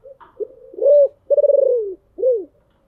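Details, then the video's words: Deep-voiced decoy spotted dove luring wild birds: a close, loud phrase of a rising note, a long pulsed coo sliding downward, and a final arched coo. "tiếng kêu của chim cu gáy âm thanh rất chuẩn để kích bổi/ Tiếng Chim Cu Mồi Gáy Gọi Ồm Ồm"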